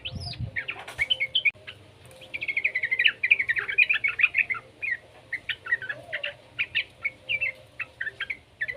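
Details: Young yellow-vented bulbul used as a lure so other bulbuls will sing. It opens with a rushed, jumbled warble of tumbling notes, then settles into spaced, sharp chirps with slurred upward inflections.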